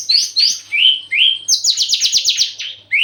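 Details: Javan bush lark eager to mate sings clear rising whistles, then a fast run of bright repeated trill notes, closing on another upward whistle.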